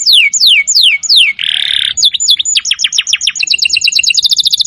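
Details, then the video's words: Canary song from a master recording for training birds: loud, rapidly repeated descending whistled sweeps, a short buzzy burst, then quick high chirping trills speeding up toward the end. "Masteran Burung Kenari"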